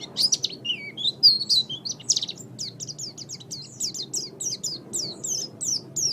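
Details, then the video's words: Oriental white-eye song used as a master recording for training pet birds: rapid high twittering of short downslurred and warbled notes tumbling over one another, steady low background hum. "MASTERAN GACOR - Suara Burung Pleci"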